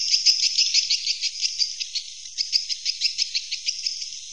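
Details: Swiftlet roosting call: a soft, dense chatter of high, rapid chirps, pulsing steadily, with a slight lull near the middle before the twittering picks up again.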